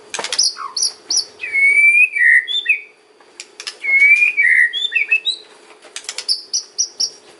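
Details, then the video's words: White-rumped shama singing kretekan and ocean phrases meant to lure other shamas: a long pure whistle dropping into a lower note, repeated twice, framed by high ticks and short trills. "KRETEKAN & OCEAN MURAI || MEMANCING BURUNG MURAI APAPUN LANGSUNG NYAUT"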